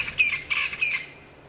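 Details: Crested francolins shouting close to a lion pride, birds known to hang around lion kills for maggots: three harsh, grating bursts in quick succession, then fading to quiet.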